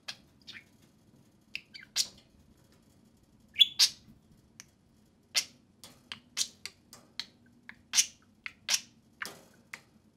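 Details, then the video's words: Two pet budgerigars chatter while playing and talking outside their cage. Clear, high, sharp chirps and squawky twitters come in quick irregular bursts over a quiet room. "Two social parakeets (budgerigars) play and speak"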